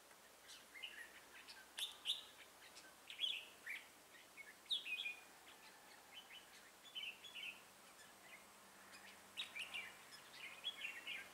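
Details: Red-whiskered bulbul used as a decoy in a trap, recorded 6 October 2018, singing in fighting style: bright chirps and short warbled phrases in quick irregular bursts, with broad clicks and steady faint background hiss.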